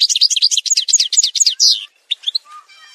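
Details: A European goldfinch (Algerian goldfinch, edited song montage) sings a fast, bright twittering run of tinkling, liquid, high-pitched notes, then breaks into a few scattered chirps and a thin trill.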